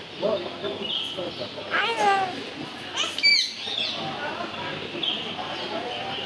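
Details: Green Eclectus parrot talking, saying words such as hello: short voiced, speech-like phrases with sliding harmonic bands near two seconds, then a sharp, bright whistled upsweep around three seconds, over steady background hiss and faint chirps.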